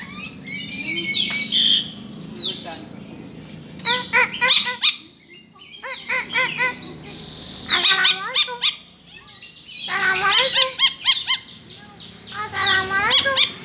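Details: Lory, local name nuri, calls likened to the eerie sound of a kuntilanak ghost: bursts of harsh, harmonic, nasal notes in rapid series with short pauses, some shrill high screeches, faint voices in the background.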